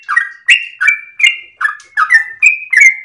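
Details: Sooty-headed bulbul singing at dawn in a long continuous run, kept as a home cage bird: repeated short liquid notes dropping from about two to one and a half kilohertz, roughly three phrases a second, no other sounds.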